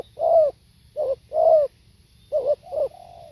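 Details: Live recording of a spotted dove's soft, low cooing phrase: a long rounded coo, a short note, another long coo, then a quick double note trailing into a flat hum.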